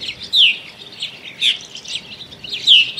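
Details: Several Purple Martins, newly arrived in early spring (early March) and searching for nest cavities and mates, give short descending chirps about once a second over constant softer gurgling chatter.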